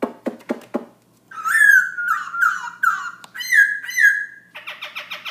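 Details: Black-throated laughingthrush at 11pm: four quick dry clicks, then a series of loud warbled whistles, slightly descending, followed by a short fast rasping chatter.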